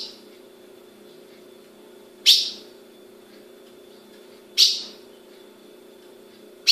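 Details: Captive female ultramarine grosbeak (azulão) kept by a breeder in Brazil, giving sharp, high chip calls, three in under seven seconds at about two-second intervals, each with a fading ringing tail over a steady low hum.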